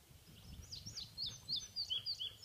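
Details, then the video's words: Indigo bunting singing at Harriman on 5/9/15; a quick run of high, sharp paired chirps, brisk and slightly descending then rising again, clear over low rumbling background noise. "Indigo bunting"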